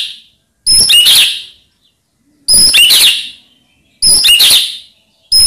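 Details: White-rumped shama song meant to draw answers from rival birds: three high, harsh, crackling bursts with thin whistled notes, about one every one and a half seconds.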